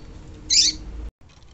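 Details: Female double-collared seedeater call, known locally as coleiro, played to stimulate males: a single short, high, bright chirp lasting a fraction of a second over low background hiss, followed by a sudden cut.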